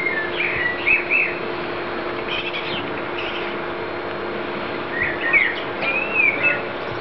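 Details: Blackbird fledgling calling: clusters of quick fluty, twisting notes near the start and again after five seconds, with softer chirps between, against a constant low droning hum.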